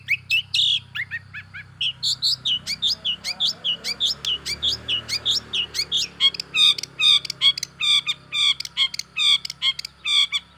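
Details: Lure song of a long-tailed shrike, played to rile other shrikes into answering. It opens with mixed chirps and slurred whistles, then settles into rapid harsh, rasping notes repeated over two times a second.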